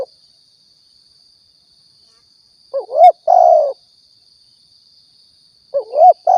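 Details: Riau spotted dove recording for luring birds: mostly quiet, then a two-part coo, a short rising warble and a sustained mellow note, and another phrase starting near the end, a thin high whine behind.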